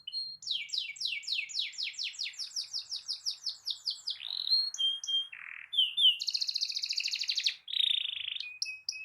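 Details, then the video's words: Canary singing a long rolling song meant to stir other canaries to sing: a fast series of descending repeated notes, then a low whistled note, a dense high buzzy roll and short clipped chirps. "Kicau Kenari Gacor Efektif PANCING EMOSI Kenari lain Cepat ikut gacor Ngerol panjang"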